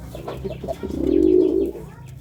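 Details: Pigeon courting with a short stuttering lead-in followed by one long, swelling, throaty coo that rises in loudness and fades away.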